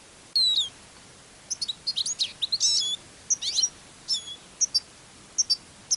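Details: Eurasian siskin used as a decoy at a songbird trapping hide on a day of thick fog with a north wind, goldfinch also present: a busy run of high, thin twittering chirps and short descending whistles in quick, uneven bursts.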